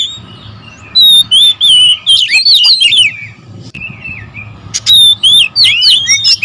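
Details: Rowdy oriental magpie-robins defending territory: quiet opening, then loud bursts of looping whistles from one second, a softer stretch mid-clip, and renewed sharp whistled phrases near the end, steady low hum beneath.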